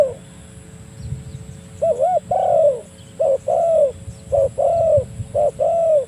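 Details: Spotted dove calling a rival, a call used to lure doves: repeated cooing phrases, each a short note followed by a longer, falling, wavering coo, with low background rumble.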